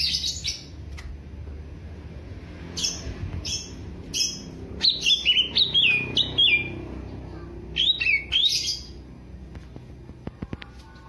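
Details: Greater green leafbird of Alas Purwo, Banyuwangi, known for fighting character, sings scattered bursts of sharp whistled notes with slurred twists, clustered mid-recording, amid quiet background.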